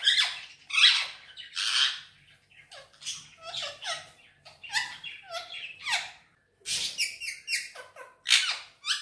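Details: Pet green Indian ringneck parrot indoors, talking and whistling in Urdu/Hindi: a busy stream of harsh squawky and chattering syllables with short gaps, uneven in rhythm, in a small room.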